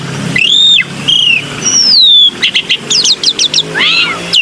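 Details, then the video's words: Black-winged myna uttering long, clear slurred whistles, one rising then falling, followed by a quick series of short, sharp chirps and a final upswept note; faint low hum behind. "PANCINGAN SUARA BURUNG JALAK PUTIH"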